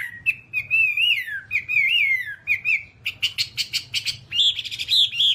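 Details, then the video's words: Whambie from a long tutor recording for pet birds: long, wavering whistled phrases rising and falling, then a quick burst of harsh chattering notes and a buzzy, warbling finish. "Masteran Whambie nonstop 1 jam"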